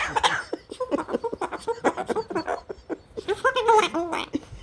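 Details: Hand-raised male long-billed corella, kept as a pet after being rescued from a road accident, swears at the cat indoors. Rapid chattering speech-like syllables build to a louder run of nasal, warbling words, with some human laughter.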